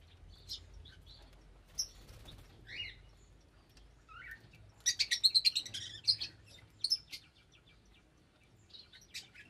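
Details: Lovebirds giving sharp, shrill chirps and squeaks, scattered at first, then a dense burst of rapid overlapping chirps midway, followed by a few isolated calls; a low steady hum runs underneath.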